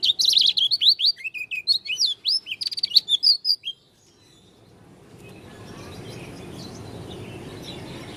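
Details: Oriental white-eye of the dakun type from Lombok, with a voice called unusual, giving a rapid run of high, sharp, twittering and slurred whistled notes for almost four seconds, then falling silent into low background hiss.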